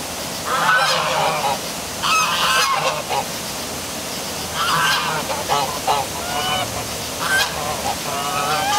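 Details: Geese honking in darkness by a downtown waterfall in Milford, Connecticut; repeated loud nasal honks, some overlapping from several birds, over continuous waterfall hiss.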